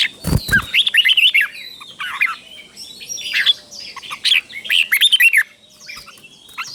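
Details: Caged red-whiskered bulbul teacher bird with doubled phrases for young birds to learn: a thump at the start, then busy, overlapping bursts of warbled, bouncing notes.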